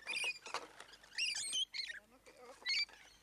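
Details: Rainbow lorikeets, hundreds strong, in Lane Cove National Park give short, loud, grating screeches in three sharp bursts, separated by quieter chatter and a soft human voice.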